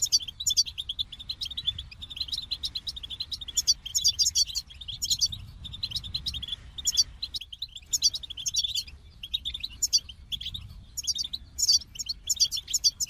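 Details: Goldfinch in steady song: bursts of fast, high twittering and tinkling trills, each lasting about a second, separated by brief gaps and repeated throughout, with a quiet low hum beneath.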